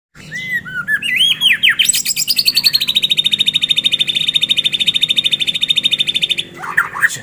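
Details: White-rumped shama giving a loud, vigorous fighter-style song with filler phrases: a few slurred, rising whistles, then a long, rapid, even trill of sharp repeated notes lasting about four seconds, ending in a brief burst of harsh chatter.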